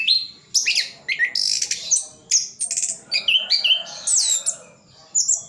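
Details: Orange-headed thrush singing a full song packed with imitated phrases, East Java; bright slurred whistles, high buzzy bursts and sharp rising notes in short varied phrases separated by gaps.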